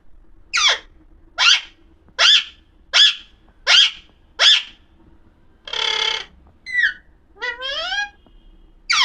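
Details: Alexandrine parakeet, known locally as pahadi parrot, said to be talking: a run of loud, harsh, descending squawks repeated roughly every 0.75 seconds, then a buzzy burst and two rising warbled notes, with a quiet background.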